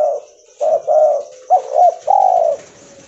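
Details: Albino, cotton-white mutant spotted dove (tekukur) cooing. Low hollow coos in a short phrase, a quick doubled note near the middle, over a faint steady high hiss.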